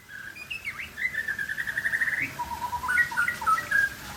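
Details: Aceh white-rumped shama showing off its singing style: a bright run of quick repeated notes near one pitch, framed by whistled slurs and ending in varied chirping phrases, with a low background rumble.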